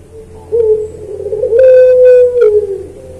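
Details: A single puter pelung dove coo from a training recording for caged birds: a soft low note swelling into one long, steady, resonant hoot that lasts about two seconds before tailing off.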